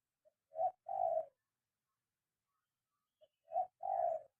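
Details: Spotted dove in training to call while on the ground, cooing twice: each phrase a faint pip, a short coo and a longer level coo, separated by about three seconds of silence.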